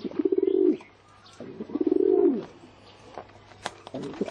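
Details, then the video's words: Pigeon cooing: two low, throaty coos, each swelling and then dropping at the end, about a second apart, followed by fainter clicks and rustles. "เสียง นกพิราบ"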